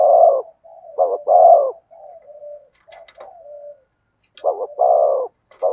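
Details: Spotted dove with 'thổ sấm' voice giving a few deep paired coos interspersed with quieter, wavering low murmurs and a pause, plus faint light clicking sounds in the background.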